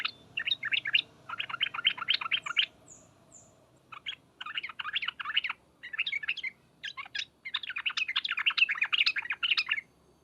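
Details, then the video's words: 'Ngriwek uplik uplik' chatter of a sooty-headed bulbul, used to lure others into answering: repeated dense bursts of harsh, rapid notes separated by short gaps, with a few thin high whistles from another bird. "suara panggilan trucukan dan ngriwek uplik uplik ini menjadikan burung trucuk gacor nyaut seketika"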